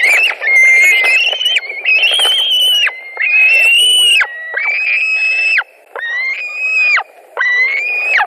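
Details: Fighting white-tailed eagles scream at a Latvian nest on 2 August 2020 after a carp is brought in; series of long, high, whining whistles about a second or more each, repeated with short gaps.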